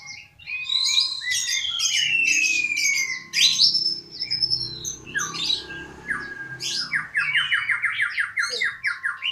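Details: Magpie-robin singing a varied song of whistled notes, a long descending whistle, rapid trills and chattering phrases, with low background hum.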